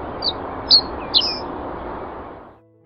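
A common reed bunting gives three high, thin, separate notes about half a second apart over a steady broad hiss that fades out near the end.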